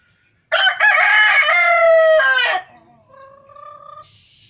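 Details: A rooster crows loudly in the morning: one harsh crow lasting about two seconds, rising then holding before trailing off, followed by softer clucking notes.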